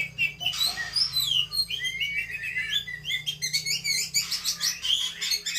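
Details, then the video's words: Female Javan pied starling (kacer) singing combatively, a busy mix of whistles, slurred notes and rapid scratchy chatter over a low droning hum. "kacer betina narung"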